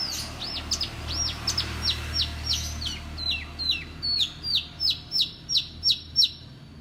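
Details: Horsfield's bush lark, known for imitating other birds' songs, delivers a champion-style song: a steady series of clear downslurred whistled notes, about three per second, growing louder and more regular over a faint low hum.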